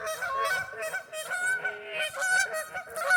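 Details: Several geese in a local park in West Virginia honk over one another in loud, nasal, overlapping bursts, roughly one a second, with no clear break.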